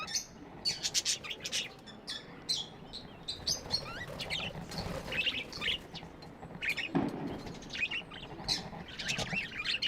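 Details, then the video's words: Several pet budgies chatter almost without pause, mixing quick high chirps, squeaks and scratchy warbled notes in a busy, overlapping stream. "Budgies amazing love & chirping sounds"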